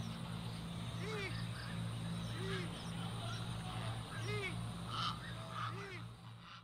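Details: Purple swamphen in a natural setting calling repeatedly: four nasal, bowed honks roughly every one and a half seconds, rising then falling in pitch, with faint extra squeaks and a constant low hum.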